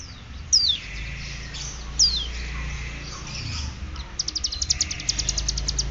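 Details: Mountain prinia (ciblek gunung) from Cililin, learning to sing fluently in the ngeriwik bren style: two sharp falling high whistles, then a fast run of high ticking notes near the end, over steady low hum and hiss.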